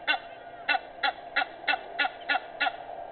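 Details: Egyptian goose at 06:25 on 18 May 2019 calling with eight coarse, nasal honks at slightly uneven intervals, steady background drone beneath.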